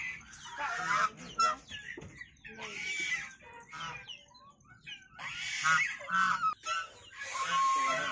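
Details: A white domestic goose gives loud, nasal honks in bursts about every two seconds, with harsh broken edges and a brief human voice in between.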